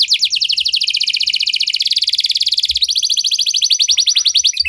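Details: Canary in 'cengkok mewah' song style delivering a rapid, dense rolling trill of high chirps, shifting to a slightly higher, thinner trill partway through and continuing steadily to the end.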